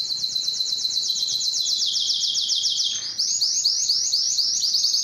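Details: Spanish Timbrado canary: a long, even, high rattling trill drops slightly in pitch, then gives way to looping bell-like notes repeated several times a second.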